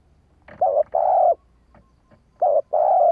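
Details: Female spotted dove giving an urging call meant to quickly provoke male doves to respond: two cooing phrases, each a short wavering note followed by a longer steady mellow coo, separated by about two seconds of quiet.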